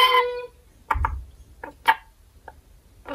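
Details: A pet red-collared lorikeet in a quiet room talks, apparently saying it wants grapes, after realizing it won't get a snack: a drawn-out tonal syllable, then several short, harsh, chattering bursts at uneven intervals.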